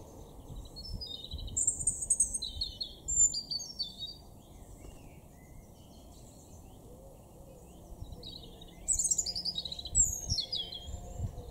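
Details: Garden European robin in Weener, East Frisia, Germany, April 2024, delivers high, sparkling warbled phrases of varied sliding notes and cascading trills. A phrase comes at the start, silence follows, then a second phrase, all against a soft low-frequency hum.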